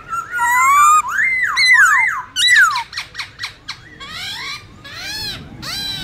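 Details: Black-throated laughingthrush singing wild-type song, used for training young birds: loud, fluty whistles swooping up and down, with rich slurred phrases and quick chattering notes in varied bursts.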